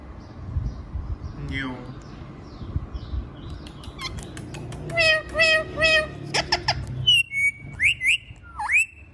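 A rose-ringed parakeet gives a burst of rapid harsh, buzzy chatter, then several sharp whistled calls that bend up and down, over a low background hum.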